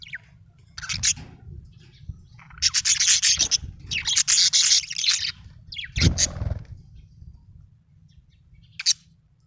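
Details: Happy budgerigar chirping in harsh, scratchy bursts of rapid chatter, several bursts close together then a pause and a last short chirp, over a low steady hum.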